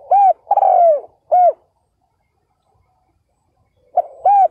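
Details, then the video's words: Spotted dove used as a decoy to lure wild males, giving a soft hooted phrase: brief note, arched coo, drawn-out descending coo, then another arched coo, followed by silence and the start of a new phrase. "CHIM CU GÁY MỒI ĐẤT KÍCH BỔI CỰC SUNG"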